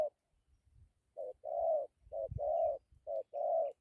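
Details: Spotted dove giving its good coo, called dặm with gù: low mellow short-long paired notes repeated about once a second, with faint low thumps between phrases.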